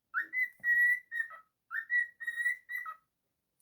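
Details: Pet cockatiel singing indoors: bright whistled phrases, each opening with a rising slur into a steady high note, ending in a dropping lower whistle, the phrase repeated twice with short pauses.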